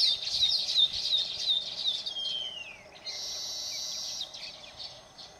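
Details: Baya weaver in Phaltan, Satara, Maharashtra, India: a run of quick high chirps, then a long whistle gliding downward, followed by a flat, hissing wheeze held for about a second before fading into soft chatter.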